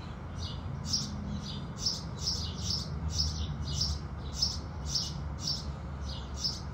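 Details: Rapid, high, slightly buzzy chirping of house sparrows singing at sunrise, roughly twelve notes in seven seconds, over steady low-frequency background noise.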